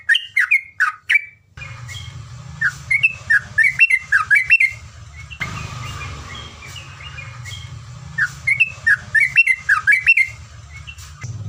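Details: Yellow-vented bulbul song used as a tutor recording, long 'ropelan panjang' style: short clusters of liquid, slurred whistled notes separated by pauses, over a steady low rumbling background noise.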